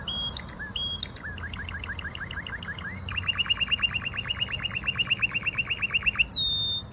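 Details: Russian canary delivering a long fast roll of downswept chirping notes, about five per second, after a few sharp high calls and ending in a bright whistle, with low background hum.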